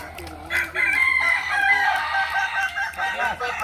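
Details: Crowing by Kukuak Balenggek roosters during a practice contest in Ampang Kualo, Kota Solok, May 2024; a loud, long harmonic crow begins near half a second and wavers on, with other birds crowing faintly beneath.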